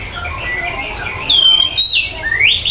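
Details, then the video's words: Oriental magpie-robin (kacer) in lively song: long sweeping whistles gliding down then rising, over a busy background of other bird chatter and noise. "Burung kacer bunyi kicau gacor"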